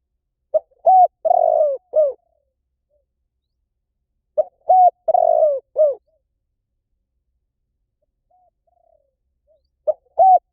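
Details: Spotted dove giving low, mellow cooing phrases of three to four short notes with a longer, rougher middle coo. Phrases repeat about every four seconds, with a third phrase starting near the end.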